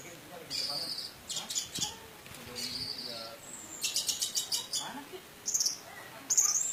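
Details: Indonesian orange-headed thrush in 'teler' style with rich fill, played to stir silent thrushes into singing; high buzzy bursts and rapid stuttering trills, short sharp whistles near the end, phrases separated by brief pauses.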